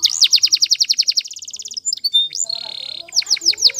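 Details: Training song of a canary: fast rolling trill of repeated downward-swept high notes that speeds into a finer roll, followed by a flat buzzy passage and renewed sharp descending whistles, with faint low background rumble.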